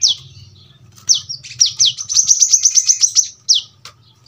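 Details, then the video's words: Kolibri kelapa, the brown-throated sunbird, giving its sharp, closely spaced song. A few steep falling notes lead into a rapid burst of piercing high chips, then one more downslur. Low hum in the background. "kolibri kelapa | manggar | wiceh | tembakan rapat super tajam"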